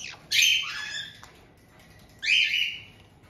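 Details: Kept white-bellied caiques in Tokachi, Hokkaido, on 18 June 2023, where an established pair greets a young bird of about two months. Two strident, grating squawks, the first longer and ragged, the second shorter, with near silence between them.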